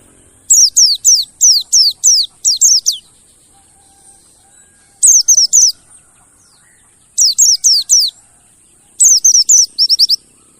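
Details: Mountain white-eye song used as a lure to make silent caged birds start singing: bursts of five to eight rapid, sharp, high downslurred chirps, separated by short pauses, over a steady faint high whine.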